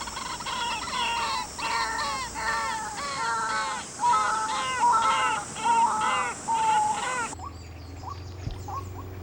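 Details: A secretive White-breasted Waterhen at a clean reservoir in Gwangmyeong, Korea, in July, calling in breeding season to find a mate: loud, nasal croaking notes a little over one per second, then fainter calls after an abrupt cut.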